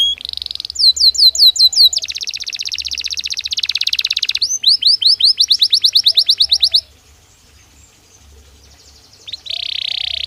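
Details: Belgian canary song as a daily training stimulus: a buzzy roll, a run of ringing swept notes, a long rattling trill, then fast falling notes, a quiet gap and another buzzy roll.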